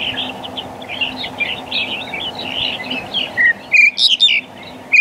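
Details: Black-collared starling giving a few loud, harsh, clipped notes with sharp whistled edges near the end, over a steady background of soft, busy chattering and twittering from other birds.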